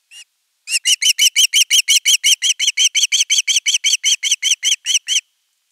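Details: Osprey at nest camera 3 on 10 August 2021, long begging for fish before a whole fish arrives; one lone chirp, a pause, then a steady run of about 23 sharp whistled notes.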